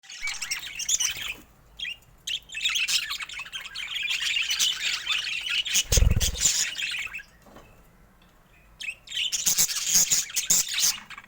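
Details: Colorful pet budgerigars, including rare mutations, chattering in a busy warble of high scratchy chirps and squeaks, with a quiet gap near eight seconds and a single low thump midway.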